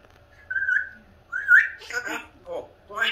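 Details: Two-year-old African grey parrot indoors shouting at the cats to get out, in an English-accented voice: a drawn whistled tone, a rising whistle, then broken speech-like syllables.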